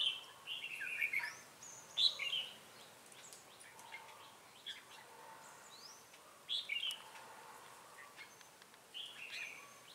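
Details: Red-whiskered bulbul trap decoy, 'ché cười' singing style, Bình Phước, Vietnam, 25 June 2018; bright warbled phrases repeated at irregular intervals of two to four seconds, with thin high chirps in between.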